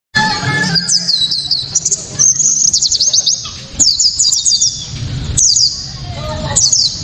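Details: White-eye song in the 'tembakan' style, described as very loud, sharp and clear, used as a lure to set other white-eyes singing and for tutoring songbirds. Bursts of rapid high twittering notes separated by short pauses, over a low background hum.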